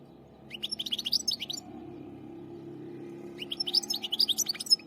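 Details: Finches chirping indoors: two bursts of quick, high, twittering notes, each about a second long, separated by a pause, over a steady low room hum.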